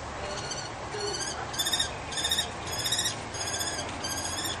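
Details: Kestrel calling during a fight between two pairs over a balcony nest in Brno-Bohunice, the female noisily supporting her male. Seven sharp, harsh, stuttering bursts follow one another at a steady pace over background rumble.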